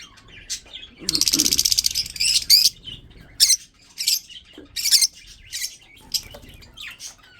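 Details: Chirping of breeding budgerigars: a rapid buzzy trill followed by scattered sharp squawks and chirps, irregularly spaced over several seconds.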